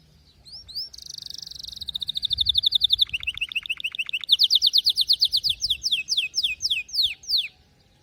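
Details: Canary in song: a few rising chirps, a high buzzing trill, a fast rattling sequence, a bright trill, then slower descending whistled notes spaced further apart.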